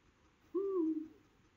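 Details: A male Eurasian eagle-owl hooting for its mate near Gandia and Oliva, Valencia: one low, steady hoot that tails off downward, lasting about half a second, with faint background hiss.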